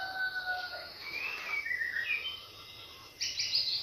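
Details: Lure song of a white-rumped shama, meant to get other birds singing: quiet sliding whistles and short chirps, then a louder burst of high trills near the end over faint background hiss.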